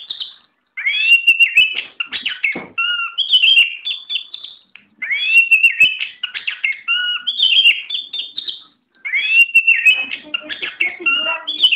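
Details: Oriental magpie-robin kept for singing contests, pouring out rich, varied whistled phrases with rising slurs, level high notes and scratchy chatter, each phrase repeated roughly every four seconds with short pauses between.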